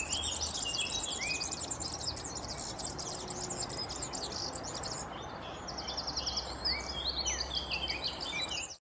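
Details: European serin (Serinus serinus) singing a continuous, high-pitched, glassy jingle of fast tinkling notes almost throughout, with a short lull and then renewed bursts of trilled twitters.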